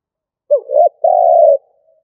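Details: Spotted dove decoy cooing in stuttering style: a quick dipping note rising into an arched coo, followed by a long, even, hollow coo, in a clean recording.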